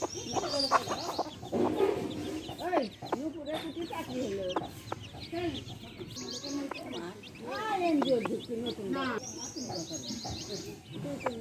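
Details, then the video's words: Hen and baby chicks together: a busy mix of low, rolling hen clucks and scattered high chick chirps, with a few sharp clicking taps. "Hen sounds | chicks sounds | relaxation sounds | hen videos | baby chicks chirping sounds"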